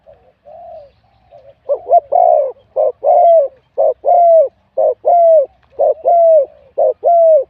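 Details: Wild-caught spotted dove in a singing contest, voice medium-to-large: soft introductory coos then eight rhythmic phrases about once a second, each a short note and a longer smooth coo trailing downward.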